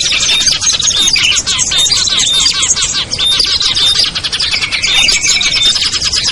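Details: Small birds' lure call for drawing down birds like ciblek, kutilang, trucuk, sogon and perenjak: unbroken, crowded high-pitched chatter with scattered clear whistles.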